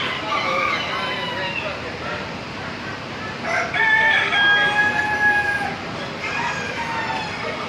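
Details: Chickens at the Wilson County Fair, Tennessee; a rooster fades out of a crow, then after a short pause a second loud, drawn-out crow rises and holds, over busy fairground hubbub.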